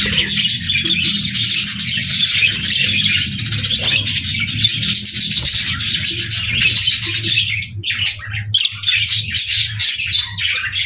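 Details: A flock of budgerigars chirping and playing in the evening. Nonstop high, buzzy warbling chatter goes on over a low droning hum, easing briefly near the eighth second.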